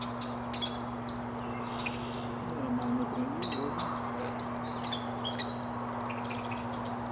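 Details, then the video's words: A Virginia rail family in Sapsucker Woods on 9 June 2009 (at least three chicks and two adults) trades short, high peeps and chips several each second, with a brief low murmur midway, over a steady low hum. "Virginia rail family communication"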